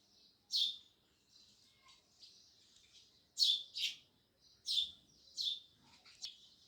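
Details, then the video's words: Loud sparrow chirping, with sharp high notes arriving singly and in close doubles at uneven intervals over a faint, soft twittering background. "Sparrows Loud Chirping Sounds"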